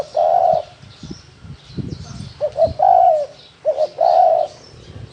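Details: Spotted dove giving 'thổ đồng' coos: a long low coo, then two short notes and a sustained falling coo, then the same pattern again, with some low knocking sounds between phrases.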